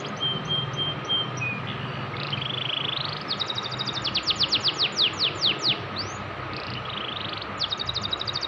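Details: Canary singing in lively 'gacor' style: a thin whistled note and short warbles, then a fast rolling trill of steep descending sweeps lasting a few seconds, followed by brief trill fragments, over a steady mechanical hum.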